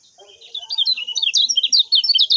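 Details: Common iora singing as a training master: quick repeated sharp chirps, steadily loud, with faint soft calls below and a high background hiss.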